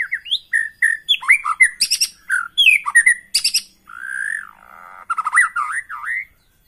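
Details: White-rumped shama lure song meant to make a caged shama sing persistently and reveal its repertoire: quick varied whistles and chattering notes, a drawn-out buzzy whistle, then lively rising and falling whistled phrases.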